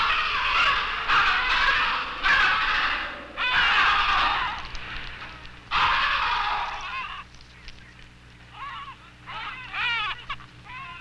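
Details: An Adélie penguin at an Antarctic rookery during nesting, being caught for banding, gives harsh, raucous squawks in bursts about a second long, then shorter wavering honks that rise and fall. A low steady hum sits underneath.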